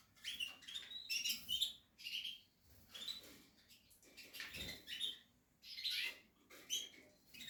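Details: Captive-bred Portuguese harlequin canary chicks in the nest, calling in short high bursts of squeaky chirps about once a second, separated by brief quiet gaps and soft rustling.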